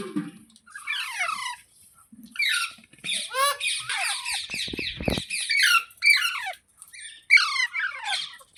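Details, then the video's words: Green parrot squawks in a small room: many short, shrill, downward-sweeping screeches in quick irregular runs, with a brief clatter midway. "Green Parrot Talking | Funny Parrot Sounds Videos | मिट्ठू की आवाज़ | तोते की आवाज़"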